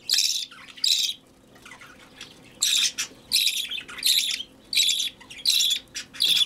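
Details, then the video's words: Young budgerigar begging while hand-fed: two grating squawks, a brief lull, then a rhythmic series of loud rasping calls roughly every three-quarters of a second. "Выкармливание птенца волнистика"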